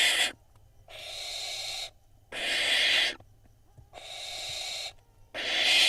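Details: Barn owl fledglings squabbling over a vole at a camera-monitored nest in Israel, June 2021; drawn-out noisy hisses about a second long, repeated roughly every one and a half seconds, with faint bumps between them.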